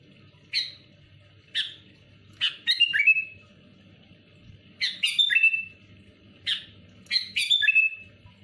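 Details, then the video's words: Sooty-headed bulbul provoking rivals with bright whistled phrases, a single note followed by a quick three-part slurred phrase, repeated in a similar pattern twice, over a soft low background rumble. "Suara burung kutilang gacor muntahin isian tembakan rapat menekan lawan bikin kutilang lain emosi"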